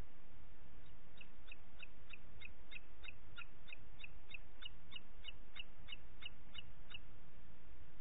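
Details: Booted eagle in Parc Natural dels Ports on 27 June 2021, 09:06, delivering a long, even series of short, high, piping notes at about three per second for some six seconds over low background rumble.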